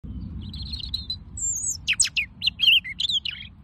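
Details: A female robin singing a quick, varied phrase of thin high whistles, sharp downslurs and brief trills, over a soft low rumble.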